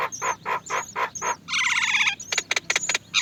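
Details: Great myna babies, many together, waiting to be fed by their mother: loud, rasping bursts in a rapid series, one longer harsh buzz, then sharp clicking notes.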